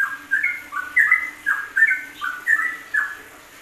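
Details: Yellow-vented bulbul singing ropelan for masteran use: rich gurgling phrases of three or four slurred, descending whistles, each phrase about half a second long, repeated steadily.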